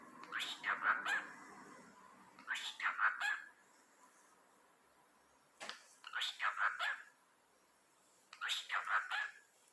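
A cockatiel chatters in short, speech-like bursts, repeating a mimicked phrase every couple of seconds.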